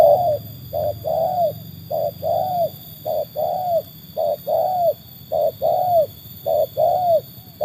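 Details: Trained spotted dove, matched against wild birds, giving low cooing phrases: a short coo followed by a longer, slightly arched coo, the pair repeated about every second for several rounds, with a faint steady high hum behind.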